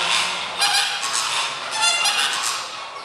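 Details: Indoor-housed flamingos at Budapest Zoo in early spring, said to be unhappy about staying inside, produce a dense, unbroken wall of harsh honks and gabbling calls from many birds at once.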